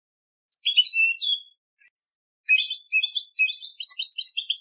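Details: Competition song of a European goldfinch: rapid tinkling, twittering bursts of high liquid notes, a short phrase, a pause, then a longer continuous chattering run, on a silent background.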